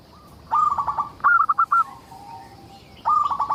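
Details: A zebra dove of local type giving its lure song to get other zebra doves singing; three close bursts of rapid, staccato coos, each several beats long, with a soft drawn-out note between them.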